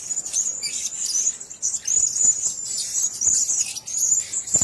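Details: A cageful of Blue-crowned hanging parrots chattering in thin, piercing high chirps, strung together in rapid overlapping bursts, with occasional sharp knocks and rustles.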